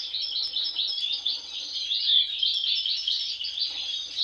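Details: Sibling European goldfinches, two with an abnormal mask from birth. A steady stream of rapid, bright chattering and trilled twitters fills the whole stretch.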